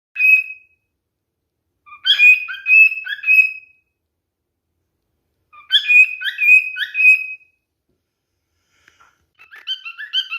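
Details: Male cockatiel singing as mating behaviour, calling to a female: bursts of whistled notes around two seconds long, separated by silent pauses, with clear harmonic whistles and a softer phrase at the end.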